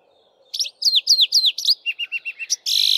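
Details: Male Streaky-headed Seedeater singing in canary style from a bushtop in the dawn chorus while females build nests: a run of bright down-slurred whistles, then quicker lower notes and a closing buzzy burst.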